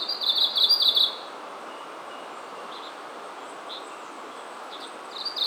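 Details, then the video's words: Japanese leaf warbler in Oze, Japan, mid-August evening, a wild bird approaching people as it grew less wary; one bright, rapid buzzy rattle of about a second, then quiet with faint distant chirps and another phrase beginning. "メボソムシクイ 鳴き声"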